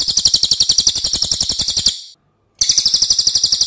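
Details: Loud, long song of a lesser racket-tailed drongo, kept as a tutor recording for other birds: a harsh, high, pulsing trill of quick repeated notes, broken by a short silence, then resuming just as strongly.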